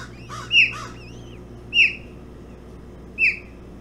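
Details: At a Hog Island osprey nest, 05:09 on 11 June 2017, during a bullhead breakfast feed: three sharp falling whistled notes well over a second apart, with softer wavering twitter at the start.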